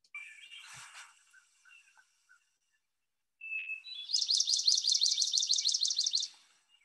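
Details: In spring on Mount Desert Island, Maine, a secretive marsh-dwelling Swamp Sparrow gives a rapid, even trill of repeated high notes lasting about two seconds, overlapping a clear fluty Hermit Thrush song.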